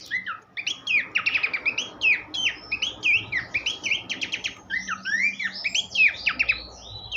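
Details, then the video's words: Horsfield's babbler song, made as a master recording for teaching songbirds: a rich, fast run of whistled slurs and rising notes mixed with quick stuttering trill bursts, nearly continuous with short gaps. "vokal mewah sang guru masteran khas pelanduk semak"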